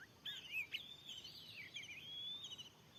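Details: Fierce wild Oriental magpie-robin near a freshly set lure in a field, giving a soft, continuous warble of whistled notes that climb and dip, with a faint hiss in the background.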